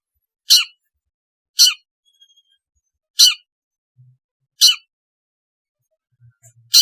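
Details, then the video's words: Long-tailed shrike used to coax a lazy caged shrike into singing: four loud, short, grating rasps spaced roughly a second apart, with a faint thin whistle between and near-silence otherwise. "suara asli cendet untuk terapi cendet malas bunyi agar gacor"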